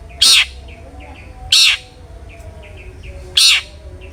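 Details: Long-tailed shrike giving three loud, grating notes in the 'ngeplong' lure style for prompting other shrikes to sing. Soft high chirps from other birds fill the gaps.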